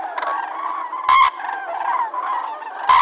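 Cranes give loud, rolling trumpeted calls that overlap steadily, with two harsher, louder blasts standing out, as from several birds calling together.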